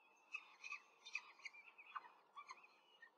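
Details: Peregrine falcon nest in Rome on 5 May 2023, a quick feeding of four chicks by the female seen on nest camera; rapid series of high, thin chirps and squeaks, about a dozen in three seconds.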